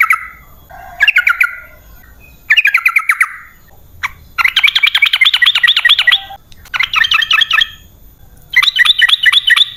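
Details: Sooty-headed bulbul in lively rolling song, played to draw wild birds into answering: bursts of fast chattering, bubbling notes in phrases of one to two seconds, separated by short pauses.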